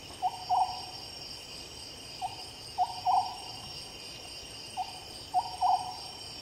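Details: Oriental scops owl at night giving hollow notes in phrases of about three, the last two in quick succession, repeated roughly every two and a half seconds against constant insect buzzing.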